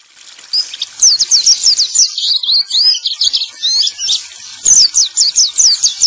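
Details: A male white-eye sings a high, sweet, rapid warble in bursts of quick slurred notes with brief pauses, used to lure and prompt silent caged white-eyes back into song.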